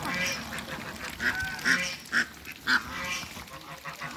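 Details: Muscovy ducks on a farm: a short series of loud, hoarse honking calls about every half second, with a lower, continuous murmur of other fowl behind them.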